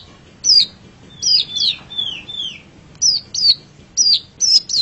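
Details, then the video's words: Long-tailed shrike masteran song: sharp, high whistles that fall steeply, mixed with a few lower, descending slurred notes, delivered in short groups with pauses between them. "Masteran Suara Pentet Cendet"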